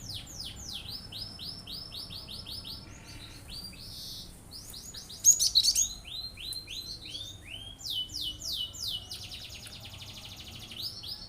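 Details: A cinereous tit's provoking 'shooting' song, meant to stir other birds to join in: long runs of rapid, evenly repeated downslurred whistles, several series overlapping, broken once by a loud burst of harsh high chirps.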